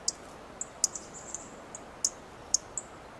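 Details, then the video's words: A dark-eyed junco perched on a twig in a coast live oak gives sharp, high, clicking chip calls at an irregular pace, about nine in three seconds, over a faint background hiss. Dark-eyed Junco. "Dark-eyed junco makes chip calls"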